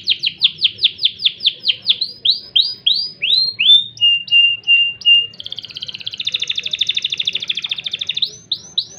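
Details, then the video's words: Crested canary performing a rich, varied song in the cengkok gurih style: a run of repeated upward-sweeping whistles, a steady held whistled note, then a fast rolling trill and more rising sweeps. "KENARI JAMBUL LOPER CENGKOK GURIH"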